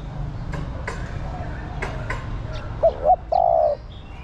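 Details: Female spotted dove calling for a male: after a quiet stretch with faint ticking, two quick short notes lead straight into one long, slightly falling coo.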